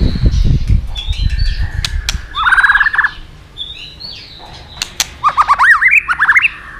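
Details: White-rumped shama song used to coax other shamas into singing: low thumping noise at first, then high thin whistles, a short trilled burst, and a closing run of bright rising chirps.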